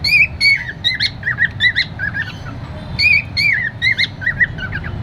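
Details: A happy cockatiel singing: quick series of warbling, rising-and-falling whistled notes and harsher squawk-like chirps, closely packed with short gaps, against faint low rumbling noise.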